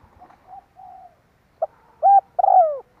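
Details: Spotted dove calling, used as a lure to draw birds in: soft low murmured notes, then a short note, a loud rounded coo and a longer falling coo ending the phrase, with no other sounds.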